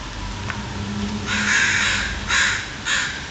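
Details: Crows described as angry and taking back the streets: a long harsh caw followed by two shorter hoarse caws about half a second apart, over a low rumble of traffic.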